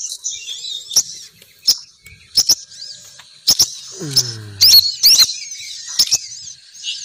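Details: Lure recording of a female sogon bird calling males down: high, bright chirps in irregular bursts about every second, with a low, descending buzzy sweep in the middle.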